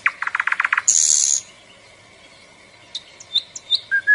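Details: Small bird opening with a fast stuttering run of about seven chirps, then a harsh hissing buzz, a faint steady whistle, and several scattered short high chips near the end.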